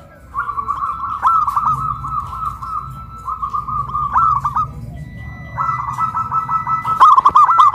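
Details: Caged zebra doves raised on a pole in Kuningan, West Java, cooing loudly; long, steady rolls of fast, even coos run for several seconds, broken by a short pause before another extended roll.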